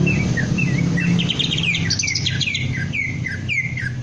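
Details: Green leafbird kept in a cage, trained to lift its crest and deliver ngentrok song: repeated clear downslurred whistles roughly twice a second, mixed with a brief run of rapid bright chirps, against a constant low humming background.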